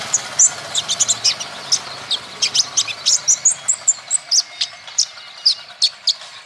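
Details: Olive-backed sunbird song, used to stimulate other birds to sing: a long, lively stream of thin, high, rapid chirps and short slurred notes, evenly paced, with faint low background hum early on.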